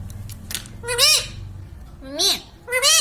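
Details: Pet parrot saying "mummy papa": three loud, voice-like syllables, each swooping up then down in pitch, spaced about a second apart over low background hum.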